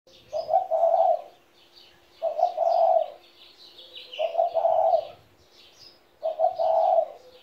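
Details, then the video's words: A 17-year-old pet spotted dove coos in four low, hoarse, mellow phrases, one roughly every two seconds. Each phrase has a short stutter before a longer rolling coo. Small birds chirp and twitter at a higher pitch in the background. "my 17 year old spotted dove"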